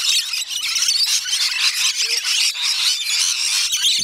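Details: Rainbow lorikeet flock at a feeding at Bungalow Bay Koala Village, Magnetic Island, Australia, making an unbroken blanket of high, piercing screeches with no pauses over the whole stretch.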